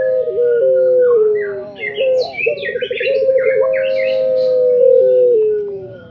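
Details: Puter pelung, a Barbary dove of the Indonesian anggungan tradition, sings long, level, hollow coos with quivering ripples between them, while several small songbirds twitter high-pitched chirps in the background.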